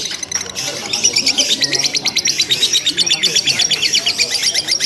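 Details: Lovebird chattering nonstop in a simulated singing contest: a fast series of sharp, high, repeated notes, about three per second, building after a short quieter start.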